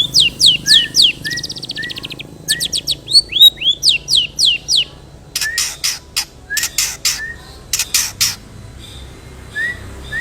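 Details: Long-tailed shrike song full of mimicked material, played to draw song from other shrikes: fast rhythmic series of sharp, sweeping chirps, rapid buzzy trills, loud ringing bursts, then softer slurred whistles.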